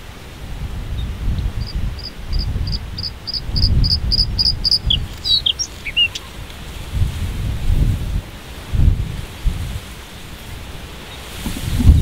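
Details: White-spotted bluethroat (Luscinia svecia cyanecula) singing from high in giant hogweed: a run of about ten high, ringing notes that speed up, then twisting, scratchy phrases over low wind rumble.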